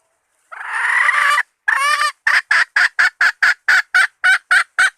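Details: Bait call of a hen: a drawn-out, rasping note and a second wavering one lead into a rapid, even series of short clucks, about four per second, loud and clear against silence.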